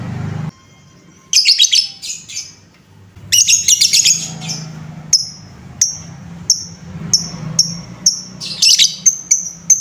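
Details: Lovebird sounds for stirring up other lovebirds: scratchy, high chattering bursts broken by short gaps, then crisp, ringing tick notes repeated regularly, with another chatter burst near the end.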